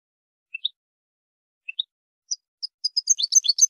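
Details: Sparse, high European goldfinch chirps that speed into a rapid, tumbling twitter of tinkling notes near the end. Used to tutor goldfinches, with no background noise.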